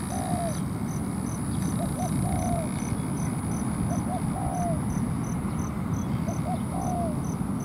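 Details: Decoy spotted dove on the ground luring a wild dove into a fight: four evenly spaced phrases, each two quick soft notes and a longer falling coo, about every two seconds, with insect ticking and low background hum.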